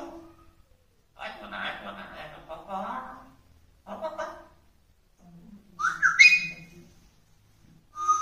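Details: African grey parrot talking in Tamil: bursts of speech-like babble, a short phrase, then a sharp rising whistle and more brief syllables at the end.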